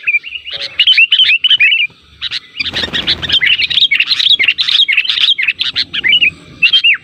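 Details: Sooty-headed bulbul (kutilang) lure calls meant to draw replies from other kutilang: rapid, bubbly whistled notes with upward and downward slurs, near-continuous chatter, a short burst of broadband rustling noise midway.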